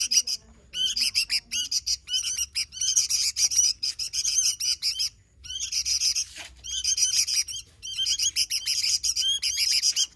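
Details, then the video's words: Sooty-headed bulbul singing vigorously: dense, fast chattering and warbling of high, sharp notes in bursts of one to two seconds, with brief pauses and a short silence before the fifth second. "Suara Burung Kutilang Gacor"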